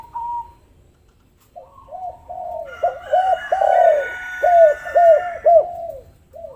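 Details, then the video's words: Spotted dove coo phrase serving as a lure to make lazy doves call; after a short high note and a pause, arched coos quicken into a long swelling note and close with evenly spaced short coos. "pancingan maut tekukur derkuku malas bunyi langsung gacor"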